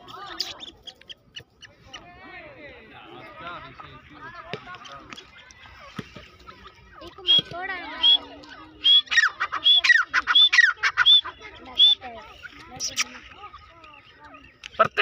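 Grey francolin giving a loud, ringing series of sharp, high repeated notes, about one every half second, over a background of softer chatter and other birds.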